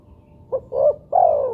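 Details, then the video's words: Single phrase from a spotted dove, played to coax other doves into calling: short low note, swelling middle coo, then a long coo that slowly falls away. "pancingan burung tekukur buat derkuku agar bunyi"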